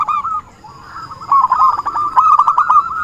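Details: Zebra dove calling as a trapping lure: a few soft coos, a short pause, then a quick, rolling series of rapid coo notes building toward the end, with clicks and a faint high steady tone.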